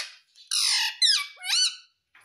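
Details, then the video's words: Pet talking parrot gives a loud, harsh squawk followed by two ringing, voice-like syllables that bend downward, in a small quiet room. "Mummy Mummy Bolne Wala Parrot || Talking Parrot"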